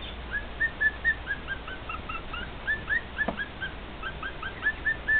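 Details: Pet male cockatiel singing to two other cockatiels: short upward-slurred whistles in an uneven series, some doubled, with a single click midway and a faint background hiss.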